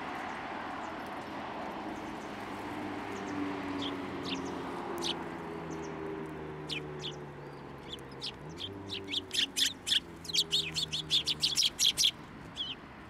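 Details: Sparrows at a Tenmangu shrine on 16 December 2023 coming onto a hand for food; low droning hum and sparse chirps at first, then a rapid burst of sharp high chirps near the end.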